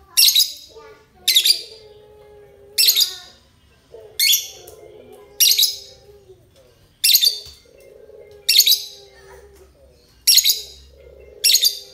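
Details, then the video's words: Lovebird, euwing type, giving sharp shrill chirp bursts about every one and a half seconds, nine in all, with faint lower wavering tones between them. "Lovebird euwing ngekek"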